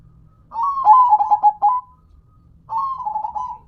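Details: Local perkutut (zebra dove) gives a stuttering coo phrase of rapid notes sliding into a purring trill, then after a short pause begins another, softer phrase.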